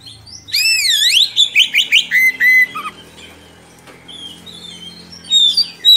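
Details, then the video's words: Oriental magpie-robin in long song used to teach young birds: a wavering swooping whistle, six quick rising notes and a flat whistle, then a quiet spell and soft high notes, over a low hum. "Kacer Gacor Ngerol Panjang Cocok Untuk Masteran Kacer Muda"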